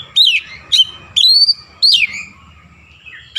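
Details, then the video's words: {'text': 'Oriental magpie-robin singing with Javan myna sounds: four loud, drawn-out whistles, each sliding downward and spaced about half a second apart, with low background hum.'} "KACER GACOR BESET SUARA JALAK KEBO"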